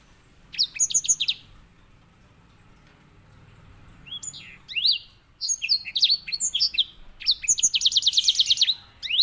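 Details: Grey singing finch (white-rumped seedeater) master song for teaching canaries: scattered high chirps grow into busy phrases of swooping whistles and twitters, ending in a fast, buzzy trill, over a low background hum.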